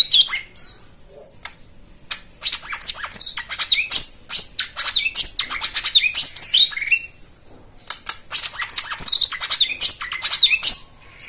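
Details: White-eye song used as therapy to coax silent birds into singing, with rich fill-in phrases: dense bursts of high, sharp chirps and twittering trills, tumbling notes repeated in rapid runs with brief pauses between phrases.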